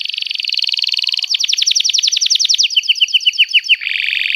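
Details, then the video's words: Canary in extended song: a dense rapid trill, then a series of clear descending whistled notes about four per second, ending in a buzzy roll. "Kenari Gacor Panjang Cuit Cuit Emosi, Pancingan Kenari Paud Belajar Bunyi"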